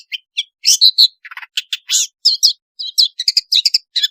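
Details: Long-tailed shrike singing energetically with varied fill-in phrases, used as a lure to prompt lazy shrikes to sing: quick jumble of high chirps, squeaky whistles and short scratchy notes, delivered in uneven clusters.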